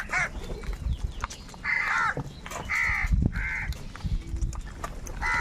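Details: Huge numbers of crows compete for food, giving hoarse, buzzy caws in uneven runs, several voices overlapping against faint rustling and low noise.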